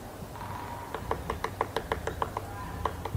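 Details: Woodpecker knocking: resonant, hollow-sounding taps about three per second in a fairly steady series, with a faint whistled tone in the background.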